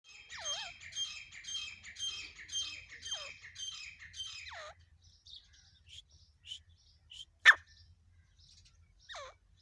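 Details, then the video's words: Female grey francolin from Pakistan calling non-stop: a series of soft, quickly repeated harsh notes with downward-sliding whistles, then scattered quieter chirps and one sharp click. "teeter sound teeter Shikar non stop calling female sound of Pakistan"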